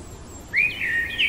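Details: Common blackbird singing in the heart of the night, one clear rising whistle sliding into a warbled note and a high sharp flourish, after brief quiet with low hum.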